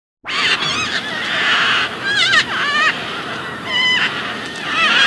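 A red-vented cockatoo gives loud, harsh, grating screeches, several in quick succession, with short wavering nasal notes between them.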